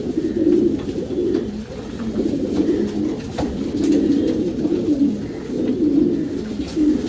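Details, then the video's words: Breeding-section Racing Homer pigeons cooing deeply and repeatedly, each rolling phrase about a second long, several birds overlapping in an enclosed space. "Racing Homer breeding section"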